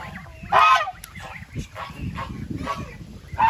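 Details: Goose giving loud, harsh honks: a strong blast early on, several softer honks in the middle, then another loud honk to finish, over low background rumble.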